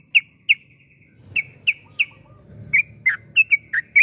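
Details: Yellow-vented bulbul, its song meant to stir other bulbuls into singing: sparse, sharp separate chirps, first spaced about a third of a second apart, then quickening into a looser run of bright notes over faint low rumble.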